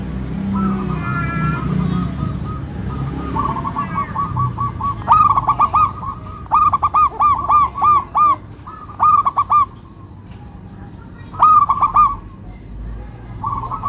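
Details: Local zebra dove with a melodious rhythm: loud bursts of quick staccato cooing notes in clipped rolling phrases, repeated several times after a murmur of lower background sound at the start.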